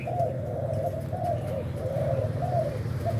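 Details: Breeding spotted dove of Thai stock cooing: a run of soft, low, evenly spaced hooting notes, each slightly dipping at the end, over a loud low rumbling background hum.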